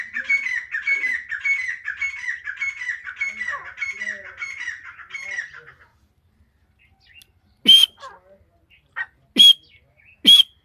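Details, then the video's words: Iranian female grey francolin calling a steady series of raspy, ringing notes, about a dozen phrases over six seconds, then quiet broken by a few sharp clicking knocks. "Irani Madi ke Awaz. ایرانی مادی کی آواز تیتر کی آواز"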